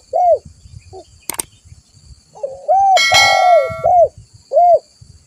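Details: Spotted dove in full voice, recorded as a lure and training sound: mellow hooted coos, each note arching up then down, in uneven phrases, broken by a sharp click and a bright metallic clang with ringing overtones midway.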